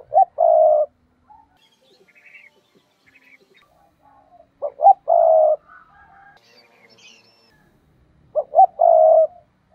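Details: A decoy spotted dove sings the 'thúc' trapping lure call. Three deep cooing phrases, each a brief note, a rising note and a sustained coo, come at roughly four-second intervals, with soft distant chirps in the gaps.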